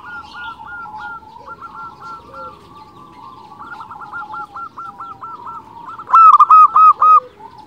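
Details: Local zebra dove singing persistently, a recording used as a lure for other zebra doves: soft overlapping coos from several doves, then a loud burst of five quick hooked notes near the end.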